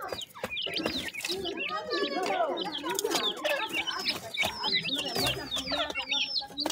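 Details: Partridge chicks calling while being fed, a busy tangle of shrill slurred peeps over softer, lower warbling chirps, many birds calling at once without pause.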